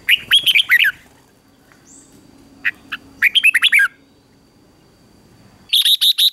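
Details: Morning training song of a red-whiskered bulbul, 'ché kích bổi' style. A rich warbled phrase of descending slurs comes first, then a quiet pause with faint notes, another warbling phrase, and a closing run of bright chirps.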